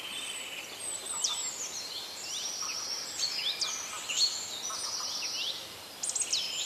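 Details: Birds singing in nature, with sweeping high whistles that slide up and down, interwoven trills and short chirps from several singers, and a burst of quick rising notes near the end.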